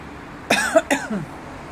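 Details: A Sulphur-crested cockatoo (Cacatua galerita) gives two quick, harsh, rasping screeches back to back, each under half a second, over a quiet background.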